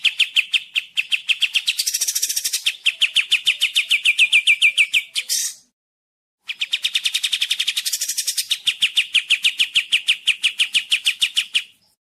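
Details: Sooty-headed bulbul, kapas tembak style, a clear recording said to be easy for other birds to copy: two long bouts of rapid, evenly repeated sharp chips, about three per second, with a short pause between bouts.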